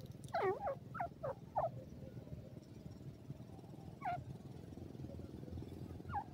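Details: Wild partridge known as jangli teetar, from South Asian open country: a quick run of five short, sharply falling notes, then a pause and two more single notes, with low background hum throughout.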